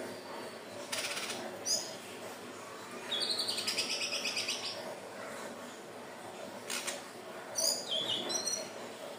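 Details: Song of a Hill blue flycatcher used as bird-catching bait: high chirped phrases and a longer trilled passage, mixed with sharp crackling clicks and a steady background hiss.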